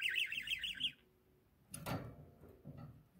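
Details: One-year-old male pet budgerigar chattering in a quick, rippling warble for about a second, followed by a clatter and soft rustling sounds.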